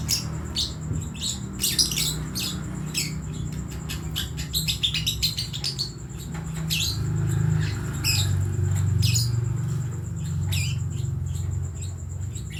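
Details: Baby lovebird learning to vocalise, giving rapid, scratchy high chirps in quick irregular bursts for about six seconds, then mostly quiet with low background rumble and a steady thin whine.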